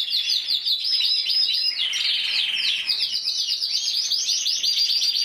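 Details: Intense yellow canary, single bird that won the 2014 Spanish championship with 94 points, pours out quick chattering trills mixed with bent whistled notes, about three per second.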